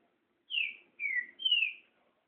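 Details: Green-winged saltator (trinca-ferro) singing the espantalho style of song: three loud, clear whistled notes in quick succession, each sliding downward, in an otherwise quiet setting.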